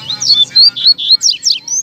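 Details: Double-collared seedeater (coleiro) in a song duel with a second coleiro, 2019/20 season: rapid, bright chirped notes and slurred whistles in quick bursts, one note after another with short gaps.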